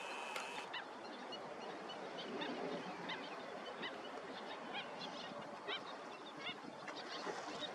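Greater flamingos in a flock, a constant din of overlapping goose-like honks and gabbling calls, with short nasal notes rising above the steady hiss of the crowd.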